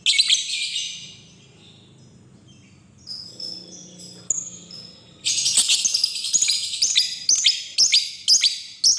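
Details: Lovebird recording used as a lure to call a rival: scratchy chatter first, then softer twittering notes, then a dense run of loud, harsh, rapidly repeated chirps over the final seconds.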